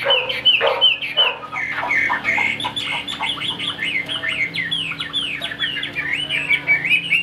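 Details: A kept Chinese hwamei starts with harsh, lower chattering notes, then breaks into a fast, even series of sharp up-and-down whistled notes, many per second, ending in a buzzy flourish.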